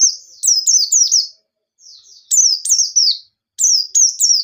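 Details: White-eye singing high, bright phrases used as a lure for other birds: soft leading notes followed by rapid falling chirps in groups of three or four, separated by brief pauses.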